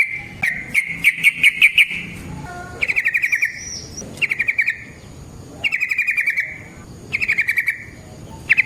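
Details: Trucukan (yellow-vented bulbul) singing a long ropel-style lure song meant to provoke other bulbuls: clear pulsed rattling phrases, some stretched and some brief, separated by short pauses.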